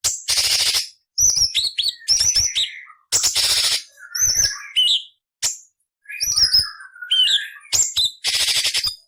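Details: Masteran song of a cucak cungkok with coarse 'beset nyerecet' fill-ins for training magpie-robins, leafbirds and kacer. Loud raspy bursts alternate with high whistles and lower warbled slurs in a busy, varied sequence.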